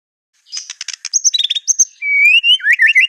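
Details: White-rumped shama competition 'tembakan' song, a master for other birds to imitate: a run of fast clipped chips and short flat whistles, then a rising pure whistle followed by looping, wavering whistled phrases.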